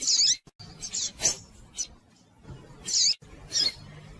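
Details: Female double-collared seedeater calling to stir up a male, giving sharp, very high chirps with brief twisting squeaky notes, a few bursts spaced about a second apart against quiet low hum.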